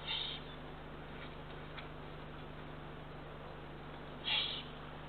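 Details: Eurasian eagle-owl owlet, one of three ringed chicks, walking on the ground at 7:35 pm on 24 June 2023, gives two short breathy hisses, one at the start and one about four seconds later, over a steady low hum.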